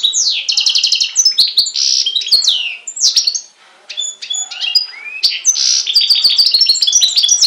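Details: European goldfinch and canary hybrid singing on Syros, Greece, in July 2007: a loud, continuous tumble of high twittering trills, buzzy slurred notes and quick rattles, with a short pause midway.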